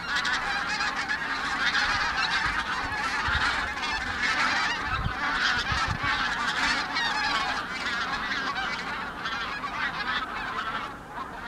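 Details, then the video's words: Wild geese passing over Nysa Lake on 31 January 2021: a dense continuous chorus of honking calls from many birds, overlapping without pause and fading slightly at the end. "Dzikie gęsi cz. III"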